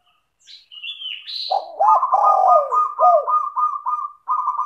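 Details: Spotted dove singing in vigorous, tightly repeated style, used as a lure to get other doves to sing; a brief high rising whistle opens, then low throaty coos under a steady buzzy trill near one pitch, phrases clipped and close together.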